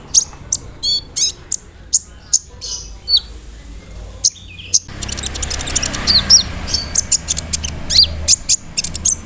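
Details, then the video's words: Sunbird song meant to make other sunbirds reply: crisp high chips and buzzy trills, then after a brief gap a denser chatter of overlapping thin notes and quick upslurred whistles. "SEMUA BURUNG KOLIBRI NINJA AKAN NYAUT DENGAN SUARA KONIN INI"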